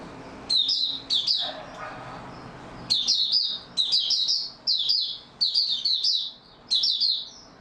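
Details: Oriental white-eye (mata puteh) singing in stable form, recorded 28 February 2022: a sharp opening pair of high, bright chirpy bursts, a short pause, then rapid twittering phrases repeated about every half second, each slurring downward. The room is quiet.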